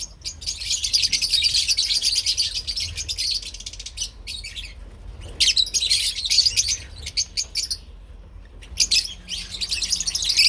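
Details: Shrill, buzzy chatter from lovebirds of parblue and opline mutations comes in separate bursts broken by brief silences, with a quiet gap around eight seconds before the chirping resumes.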